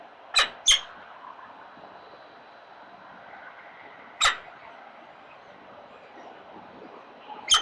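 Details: At feeding time, newly hatched Peregrine Falcon chicks in a city nest: a quick pair of shrill chips, a long quiet gap, then two more isolated sharp squeaks.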